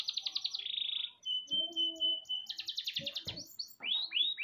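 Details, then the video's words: Training song of a canary: a buzzy rolled trill, then a long steady pure whistle with low tones beneath, followed by a rapid rattling trill and upswept chirps. "MASTERAN KENARI GACOR PALING DICARI"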